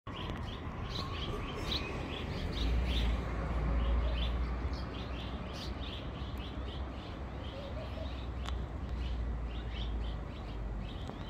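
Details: Swallows calling in flight give quick, high chirps and twitters in rapid, uneven bursts, several birds calling at once over a steady low rumble of wind or distant traffic.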